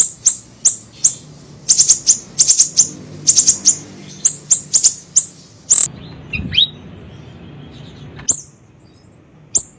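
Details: Lure recording of a small siri-siri bird: long runs of rapid, shrill chirps in clusters, then a short falling note and a couple of isolated chirps against a quieter hiss.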